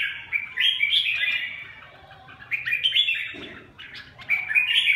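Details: Red-whiskered bulbul song: bright, warbling whistled phrases that rise and fall, delivered in two bursts separated by a short pause.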